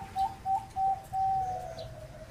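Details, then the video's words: Zebra dove singing in the ร้องตับ style: three clipped, high cooing notes at an even pace, then one long drawn note that fades into a softer trailing coo. "นกเขาชวาเสียง |EP109 ร้องตับฟังเพลินๆ"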